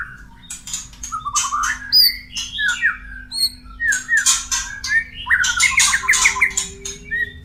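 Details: White-rumped shama in a mating-stimulation recording meant to bring birds into breeding condition, possibly caged: varied whistled phrases mixed with harsh buzzy bursts, rising and falling notes, steady low hum in the background.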